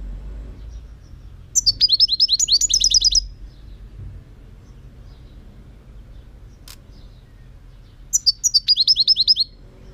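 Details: Song of the European goldfinch, delivered as two quick high trilling phrases of rapid repeated tinkling notes, with a single faint click between them and a quiet room-like background.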